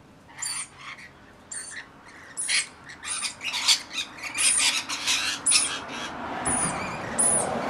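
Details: Rainbow Lorikeets in a flock of about 40 tending a single baby in winter. Shrill, rasping screeches follow one another in quick bursts, with thin high squeaks layered over the chatter.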